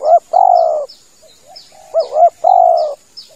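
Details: Male spotted dove lure call for hunting: arched short coo and long burring coo, twice, with softer background cooing and regular high thin chirps from other birds.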